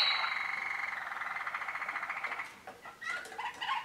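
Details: Waterslager canary, a young novice bird of 2013, singing: a sustained tone over a rapid, even, bubbling roll that beats steadily for about two seconds, then breaks into short choppy notes and rising phrases.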